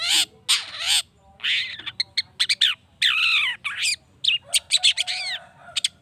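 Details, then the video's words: Long-tailed Shrike giving harsh, scratchy squawks mixed with quick rising and falling chattering notes, loud and varied, in bursts; a lure recording meant to excite other shrikes into answering. "PANCINGAN CENDET❗NAIKAN EMOSI CENDET MANAPUN AGAR CEPAT NYAUT LANGSUNG IKUT BUNYI"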